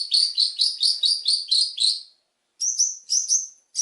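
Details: Long-tailed shrike song, a richly varied training recording for other birds: a fast, regular string of bright doubled chirps for two seconds, a short silence, then several higher clear whistled notes.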